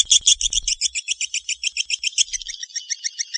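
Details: Swiftlet call: rapid, evenly spaced high chirps, roughly three or four a second, each a short double-toned twitter, with a faint low thump at the start.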